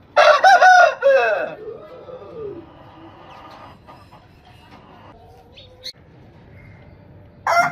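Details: Crowing rooster: loud, broken harmonic bursts in the first second and a half, then soft descending notes and a long quiet stretch. A crow begins abruptly at the very end.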